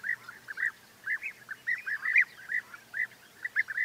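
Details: Several European bee-eaters keep up a lively chorus of liquid, rolling 'prruip' notes, often doubled or overlapping, coming in quick irregular bursts with brief pauses between.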